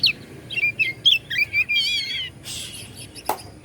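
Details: White-rumped shama (kacer) singing to provoke other shamas: quick repeated whistled slurs building into a warbled trill, then a harsh noisy burst and a sharp click.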